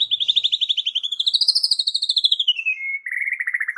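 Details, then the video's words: White-rumped shama lure song, calm but sharp, aimed at young and wild fighting birds: a continuous fast trill that rises, then sweeps down and settles into a lower pulsing trill. "pancingan Suara KALEM tapi TAJAM Untuk Pancing FIGHTER Murai batu PAUD dan Muda Hutan"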